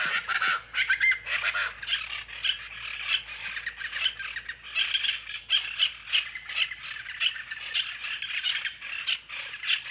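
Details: Plain chachalaca chorus: loud rhythmic squawks repeated several times a second, harsh and grating, rising and falling in waves over ten seconds outdoors.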